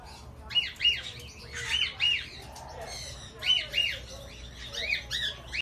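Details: African grey parrot calling in quick bursts of bright, arching chirps, often paired, with brief pauses and a soft rustle between groups; several phrases over a few seconds.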